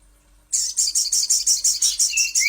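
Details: Little spiderhunter used as a lure sound for training songbirds: after a brief silence a fast, sharp series of about a dozen high chipping notes rattles out evenly, ending with a thin rising whistle.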